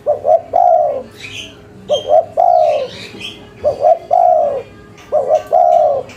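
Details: Local spotted dove calling busily in the cetrekan manner meant to provoke answers within five seconds: four evenly spaced phrases of two quick notes and a long sliding coo, about every one and a half seconds, with thin chirps of other birds.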